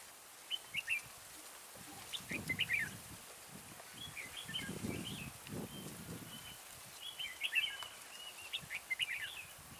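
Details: Decoy red-whiskered bulbul singing at a trapping site to draw in wild birds. It gives scattered quick, twittering phrases throughout, with low rustling and knocking noises in between.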